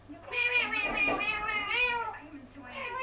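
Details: Loud, drawn-out harmonic cry from a pet parrot that shouts "Mom", "hello" and "bye-bye" indoors; two long, slightly wavering calls run into each other, then a softer third begins.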